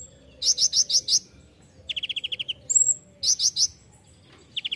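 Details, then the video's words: Ninja sunbird (kolibri ninja) song used as a master recording for training songbirds: groups of four or five loud sharp notes alternate with fast rattling trills and a thin high whistle, repeated twice. "masteran kolibri ninja (konin) gacor full isian mewah"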